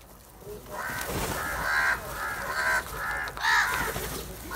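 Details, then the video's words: Black crows, a large flock attacking cheese, give a string of long, harsh, nasal caws, each about a second long, closely repeated. "Different Crow Sounds | A large Group of black Crows Attack On cheese | Happy Crow Sound"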